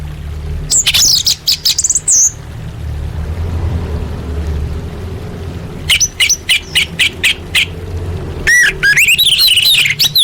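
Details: A female orange-headed thrush calls to males, a recording meant to stir quiet birds into singing: three bursts of rapid high chirps and whistled slurs, separated by pauses filled with low background rumble.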